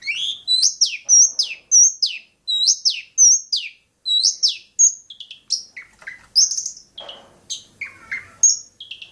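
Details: Long-tailed shrike, Bobotsari: clear, sharp, downslurred notes repeated about twice a second for several seconds, then a looser string of varied whistles and chirps with short gaps.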